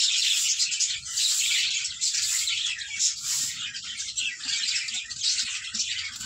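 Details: Budgerigars in a farm room of about 15 to 20 females, kept apart until adult: a dense, continuous chatter of high chirps and warbles from many birds at once, with low rumbling room noise.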